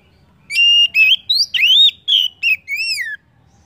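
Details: Oriental magpie-robin song used as a lure to get other birds singing: one clear phrase of about seven loud whistled notes, some steady, some swooping, ending in a falling arched whistle.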